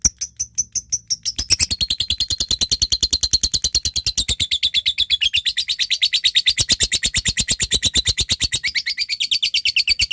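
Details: Lovebird in full ngekek, a long chattering display used to call a rival. A few sharp ticking notes open, then a dense, rapid, regular stream of rasping pulses continues to the end.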